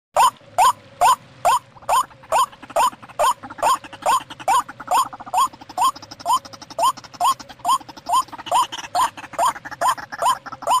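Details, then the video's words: White-breasted waterhen call used as a lure for wild birds: harsh, rising croaking notes with rich harmonics, repeated steadily about twice per second throughout, with a faint busy background. "SUARA PIKAT| burung ruak-ruak"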